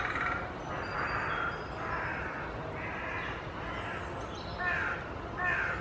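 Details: Several carrion crows gathered in a large tree in Children's Wood, Hull, displaying and fanning tails without aggression, give harsh, hoarse caws, roughly one or two a second in uneven bursts, over a steady rush of outdoor noise.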